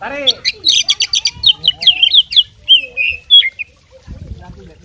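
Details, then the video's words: Oriental magpie-robin of fighting stock, song loaded with mimicked material: after a lower harmonic call at the start, a dense string of high chirps, trills and sliding whistles follows, ending in a short quiet gap. "suara kacer petarung bongkar isian gacor full masteran"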